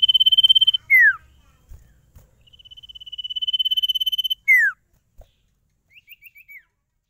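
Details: Caged sirtu delivering long rapid trills on a steady high pitch. Each trill ends in a loud downward-swooping whistle, and a short series of small upslurred notes closes the passage.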